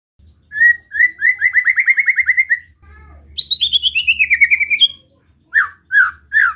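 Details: Relaxed besetan song of a white-rumped shama, meant to provoke other shamas: a steady fast rattle at one pitch, then a higher rattle sliding downward, ending with three loud separate slurred notes.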